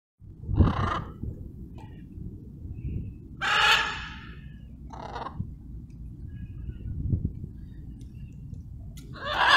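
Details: Wild blue-and-yellow macaws relaxing at sunset on a dark, cloudy evening: harsh, broadband squawks come in separate bursts about every two to three seconds, with a low rumbling background throughout.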